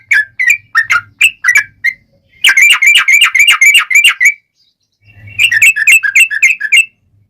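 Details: Sooty-headed bulbul in long rolling lure song to make other bulbuls call back: spaced chirps building into a dense rapid burst, a pause, then another quick run of bright repeated notes.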